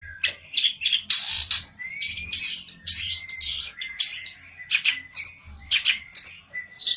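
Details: Olive-backed tailorbird singing agitatedly in search of a rival: a dense run of sharp chirps and short high notes, with a thin whistled line near the middle and a faint low hum beneath.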